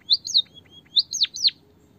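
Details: White-headed munia, bondol haji, in a natural-voice recording played to coax reluctant birds into singing: two high chirpy phrases, each of three rising-and-falling whistled notes with a final steep downward sweep, in a quiet background.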